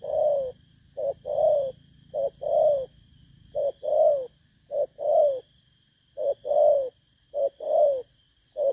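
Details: Spotted dove, a freshly wild-caught cage bird, recorded in Vietnam on 19 August 2024. Each phrase is a short low coo followed by a longer, swelling rolling coo, with pauses between phrases, over a steady high-pitched hum.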